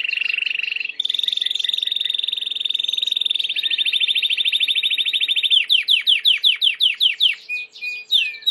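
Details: Timbrado canary song for training, from a white canary: long rolled trills that shift upward in pitch, then a run of loud, sweeping downslurred notes repeated about twice a second.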